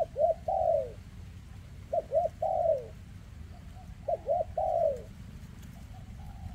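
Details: Spotted dove, a 2024 bird with a leg defect, repeating its cooing phrase three times: a pair of short, abrupt coos, then a longer coo sliding downward, with faint soft notes between and a low steady hum.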